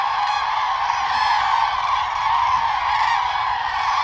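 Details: Common cranes giving their distinctive calls during mating-season dancing, with bowing and wing-spreading. The overlapping honks blend into a steady, thick chorus, and occasional short higher bursts break through.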